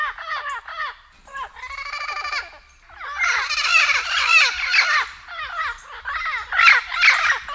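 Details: Turquoise-fronted amazon calling: harsh squawks and throaty chattering notes with strong harmonics, some drawn-out, building into dense overlapping calls as several birds join in.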